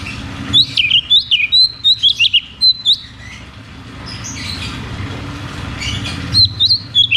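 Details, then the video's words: Lure song of a cucak cungkok, 'ngeroll tembak' style, for caged birds that have stopped singing: a fast series of clear up-and-down whistles for three seconds, a pause, then another short burst, over a steady low hum. "Therapy dan Pancingan Burung Macet Bunyi || Cucak cungkok Ngeroll tembak"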